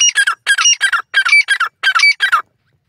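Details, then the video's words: Grey francolin, called white titar partridge or Dakhni titar, calling in a forest in Pakistan: harsh, loud squawking notes in quick pairs and triplets, about seven bursts over two and a half seconds, then silence. "pakistani white Titer partridge voice in the forest,Dakhni titar awaz"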